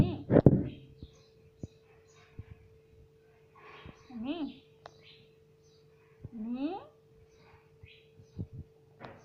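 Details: Pet parrot talking, said to be saying "mummy": two short voiced, speech-like words with sliding pitch about two seconds apart, over a steady electrical hum with scattered soft clicks and a thump at the start.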